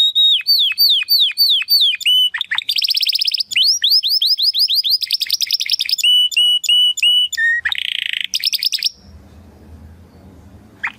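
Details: Loud Belgian canary song changing phrase every second or two, with bouncing falling whistles, dense rolling trills and flat repeated chips, a brief harsh buzzy burst, then quiet background with a faint hum.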